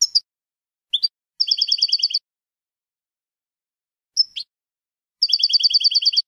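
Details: European goldfinch singing, a recording for teaching young birds their song: short call notes and sharp upslurs alternating with two fast, regular trills of bright, tinkling notes.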